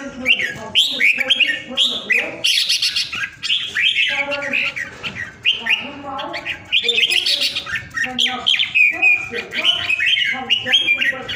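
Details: Caged Vietnamese red-whiskered bulbul, a well-cared-for pet kept at home, nicknamed a 'ground airplane' for its powerful singing; loud, rapid run of bright warbled and whistled phrases, rising and falling, with brief pauses between bursts.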